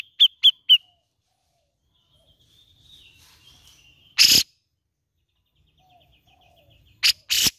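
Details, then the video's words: Grey-cheeked bulbul sound meant to coax a bird that is reluctant to sing: three quick clear notes at the start, faint twittering, then a loud harsh rasp and two more rasping bursts near the end. "PANCINGAN CUCAK JENGGOT MALAS BUNYI!"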